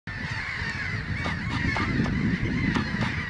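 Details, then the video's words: Gulls in breeding season at Syktyvkar, Russia, a steady drawn-out wailing call band with frequent short sharp notes overlapping, plus low rumbling background noise. "Seagulls breeding"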